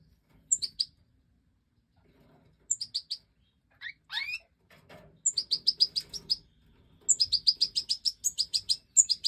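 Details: European goldfinch of the Major form during the 2024 breeding season, giving bursts of bright, very high tinkling twitters, quick repeated chirps in runs of several notes, with brief pauses between phrases and near silence behind.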